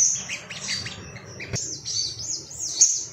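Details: Ruby-cheeked sunbird, stirred up and seeking rivals, gives high thin twitters followed by a series of looping, wavering whistled notes.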